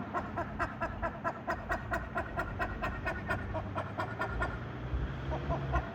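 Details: Black-faced ibises in Punta Arenas, Patagonia, Chile: rapid, regular series of short, nasal, clipped notes, about two per second, over a constant background of wind and low rumble.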